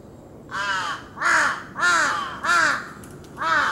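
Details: A Large-billed crow, a parent with its young, which it was preening, on 26 July 2018, gives five hoarse, arching caws about every two-thirds of a second.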